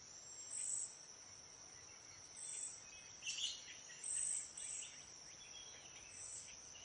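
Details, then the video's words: Cedar waxwings feeding as a flock in a backyard, handing berries and insects along; several high, wispy whistled notes scattered through, set against a constant shrill insect hum and brief lower chirping. "Cedar waxwing call / song, passing berries / insects"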